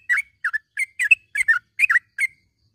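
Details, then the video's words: Yellow-vented bulbul morning calls for training caged birds: eight short, bubbly chirps, some doubled, spaced roughly every third of a second. "panggilan suara trucukan di pag hari ini ampuh buat masteran burung trucuk macet bunyi menjadi gacor"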